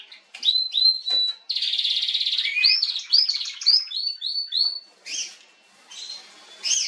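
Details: High canary song from a female, dated 21 January 2022: quick chips lead into a dense buzzy trill, then a run of repeated upslurred whistles. It ends in softer, scattered chirps.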